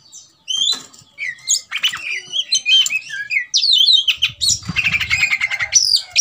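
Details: Fired-up Oriental magpie-robin singing to goad a rival into fighting: a loud, varied run of sharp whistles, rapid chatter and squeaky slurred notes. Near the end it turns into a dense buzzy stretch over a low rumble.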